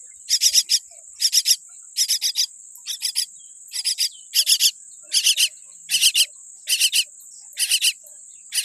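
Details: Baby common myna born with a weak beak repeating rough, buzzy triple-note calls in a steady run, close to one group per second, over a constant high hum.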